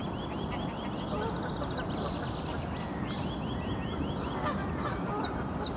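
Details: Egyptian goose calling, a series of harsh, nasal honks repeated rapidly, about two to three per second, over a steady rushing background, with a few thin, high chirps near the end.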